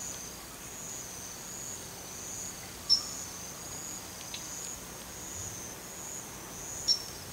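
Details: Male Daurian redstart calling, as it does daily around a house: two sharp, thin high notes about four seconds apart, over a steady high insect-like hiss.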